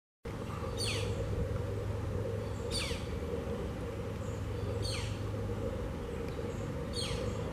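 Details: Ruby-throated hummingbird nestling being fed by the female at McFaul Environmental Center, Wyckoff, New Jersey, gives high, thin squeaks, each sliding quickly downward, about every two seconds over a steady low rumble of background noise.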